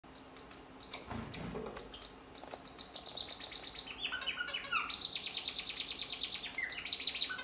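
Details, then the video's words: A male African silverbill (Euodice cantans) sings a soft, high twittering song of rapid chirps and trills that grows louder and more continuous toward the end, with a faint steady hum behind. "Silberschnäbelchen gesang / African Silverbill singing"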